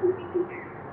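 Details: Southern Coucal (Centropus parroti) recorded from a terrace near a backyard sunbird nest it had attacked; two deep, hollow hoots about a third of a second apart over a soft background hiss.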